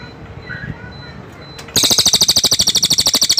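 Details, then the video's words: After a quiet start with faint chirps and hum, a cililin launches a loud, rapid, rattling high trill, pulses repeated evenly several times a second until the end. "suara burung cililin"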